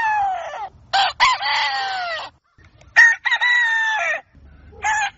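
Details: Dawn crowing by a rooster: two full, loud cock-a-doodle-doo crows about two seconds apart, each opening with short stuttered notes, then a short burst.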